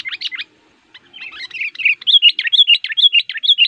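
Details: Sooty-headed bulbul lure song, aggressive and active, meant to call wild males from the forest: two quick bright notes, a brief pause, then a rapid run of lively chirps and short whistles rising in loudness.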